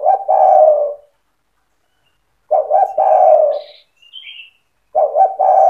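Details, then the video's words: Spotted dove singing to set other doves calling; repeated phrases of stuttered short coos and a long descending coo about every two and a half seconds, with a brief high chirp from another bird between them. "Suara burung tekukur gacor cetretan bikin deruk tekukur derkuku balam lain emosi ikut bunyi"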